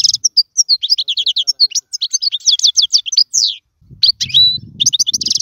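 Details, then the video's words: Fast, unbroken twittering song of a European goldfinch used to tutor young birds. Liquid chirps run together, pause briefly before four seconds, then resume over a soft low rumble. "اسمع المقنين واعطي رايك فيه,افضل تغريد لتعليم الفراخ"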